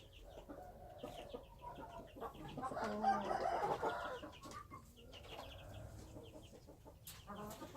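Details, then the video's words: Wild chickens calling, with a louder harmonic crow-like burst in the middle of a busy backdrop of clucks and high chirping from other birds. "Noob qaib qus Qaib dib qua zoo - wild chickens"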